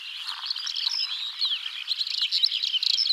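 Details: Several larks singing in spring in open Central Asian habitat around a yurt camp, a continuous, rapid outpouring of high twittering and warbled notes, birds overlapping with no pauses.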